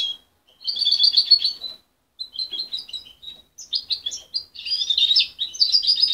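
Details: A young goldfinch hybrid, raised by its mother rather than hand-reared and separated at 23 days, sings a rambling, high twittering song of buzzy trills and chirps in bursts with short pauses in a quiet room; it still muddles its song but shows promise.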